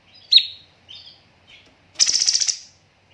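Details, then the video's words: Cucak cungkok, a master recording for training birds with tembakan bursts: a sharp downslurred whistle, two softer notes, then a half-second of fast buzzy rattling pulses, about ten in quick succession. "BURUNG CUNGKOK MASTER SEMPURNA JEDA & RAPAT TEMBAKAN"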